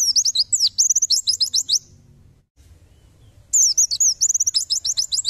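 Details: White-eye singing tembakan, a tutor recording for songbirds: two dense bursts of rapid, piercing high chirps and whistles separated by about two seconds of near silence.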